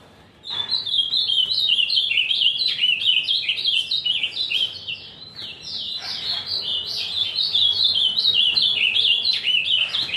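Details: Energetic azulão song with a bright, continuous chatter of short slurred notes. It softens briefly near the middle, then picks up again.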